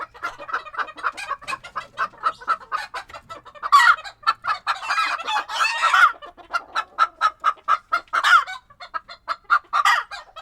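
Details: Hens in a Tokyo coop, winter 2022, busy with lively talk: rapid steady clucking about twice a second, with a burst of louder overlapping squawks in the middle.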